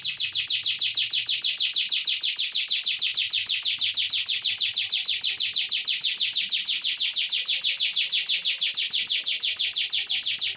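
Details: Sunda warbler singing energetically: a long, even series of sharp, high, downslurred chirps repeated rapidly, about five to six per second, steady for over ten seconds with no other sounds.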